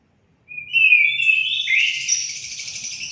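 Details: Orange-headed thrush song, used as therapy to make pet birds sing: after half a second of quiet, a whistled note slides into a dense, warbling run of high, tangled phrases that continues to the end.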